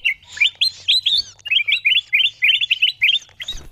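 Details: Bulbul lure sound, used for calling wild birds down: a rapid chattering series of short, sharp, upslurred chirps, bunched in quick runs with brief gaps.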